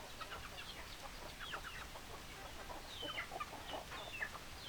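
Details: Chickens: fairly quiet overlapping hen clucks with several sharp, high whistled notes cutting through in the second half.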